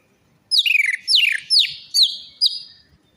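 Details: Orange-headed thrush song played as a lure to get a reluctant or stressed bird singing: five rapid, sharply descending whistled notes with trills, the later notes trailing into a long level whistle.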